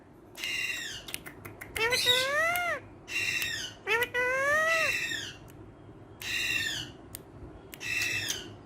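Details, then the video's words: Green talking parrot said to speak Urdu, kept as a pet indoors and playing with a hand. It gives harsh, harmonic, squawky phrases in five bursts of about half a second to a second, with short clicks between them. "Amazing Urdu Bolne Wala Tota || Green Talking Parrot"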